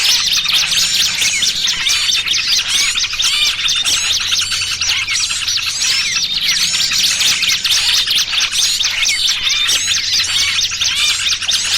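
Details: Lively massed calling of small birds, a lure for trapping birds: a continuous wash of shrill chips, squeaks and rapid twittering notes from many voices, with a faint steady low hum.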